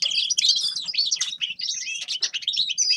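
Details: Bright, jumbled twittering from a grey-crowned goldfinch: quick chirps, slurred whistles and trills running continuously for the whole clip.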